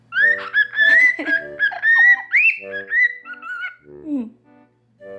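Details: Indoors, pet cockatiels (normal pied and albino) whistle a melody at close range toward their owner's ear: a run of sustained, wavering whistles with rising slurs, ending in a low descending note and quiet chatter.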